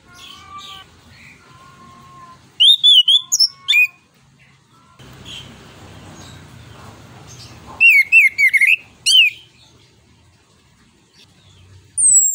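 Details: Singing orange-headed thrush, used to prompt other birds to sing: two bursts of loud varied whistled and slurred notes several seconds apart, with quieter background noise between.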